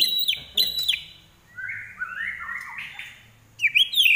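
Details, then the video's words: Common iora in full 'gacor' song: sharp, high whistled notes that flick up and down, a short series of slurred mid-pitched whistles after a pause, then bright chattering notes at the end. "larwo Gacor"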